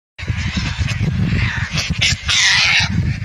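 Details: Indian skimmer calling: nasal, honking notes in short bursts, strongest near the end, over a constant low rumble of wind or handling noise.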